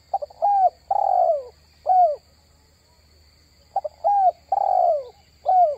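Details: Repeated spotted dove cooing used to draw in wild doves: two matching phrases, each stuttered notes, a clear coo, a long breathy coo and a falling end note, with roughly two seconds of quiet between them.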